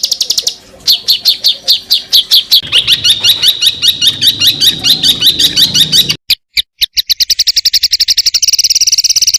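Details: Bird fill-in phrases for tutoring songbirds: a long, varied chatter of fast, slurred high notes, followed by a few clipped bursts and a very rapid, buzzy high trill at the end.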